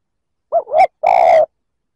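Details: A single cooing phrase from a spotted dove meant to provoke rival males, a short hooted note sliding into a second and then a sustained, slightly wavering deep coo.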